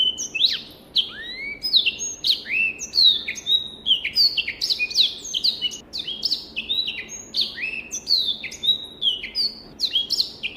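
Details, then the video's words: Long, dense song of a Black-throated canary: nearly continuous rapid twittering, swooping whistles and crisp clicks for over ten seconds, bright and clean, recorded as tutor material. "SOUND of BIRD BLACKTHROAT || FINCH SINGING || MASTERAN BLACKTHROAT"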